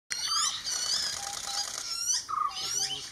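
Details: Common hawk-cuckoo chick being fed by jungle babblers, its foster parents; dense, shrill, high-pitched wheezy calls pour out almost continuously, with brief rising squeaks and a short pause before renewed bursts.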